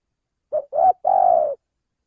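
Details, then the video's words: A male spotted dove's coo used as a trapping lure to attract birds: a brief first note, a swelling second note, and a drawn-out, softly pulsing last note, low-pitched and clear, with silence around it. "suara pencingan burung tekukur"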